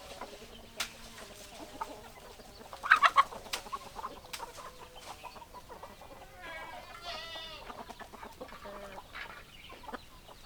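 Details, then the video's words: Hens clucking in a flock, with short, low clucks repeated irregularly and a few sharp, loud notes, then a drawn-out, quavering squawk. Other chickens call faintly in the background. "Chicken Sounds Noises Hens Clucking Roosters Crowing"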